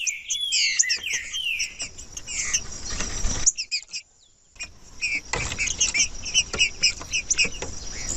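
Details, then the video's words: Green-winged saltator song for warming up other saltators: an opening stretch of rapid whistled, slurred phrases, fading into noisy rustling, a short quiet gap, then repeated clicks and high chips. "MELHOR VÍDEO PARA ESQUENTAR TRINCA FERRO COM TRINCA FERRO CANTANDO"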